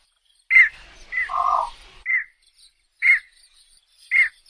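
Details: Javan pond heron: short, harsh squawks repeated about once a second, with a lower buzzy grating note between the first calls, otherwise quiet.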